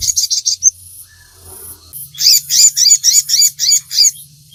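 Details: Sogon song meant for training captive birds to sing: quick high chirps, a brief pause with low humming background, then a regular series of sharp high double notes repeated several times a second.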